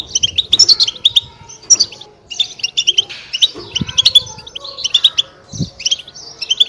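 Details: European goldfinch song, natural recording meant to stimulate goldfinches to sing: rapid bright twittering and chirping phrases in bursts, with short pauses between runs and a few low thumps.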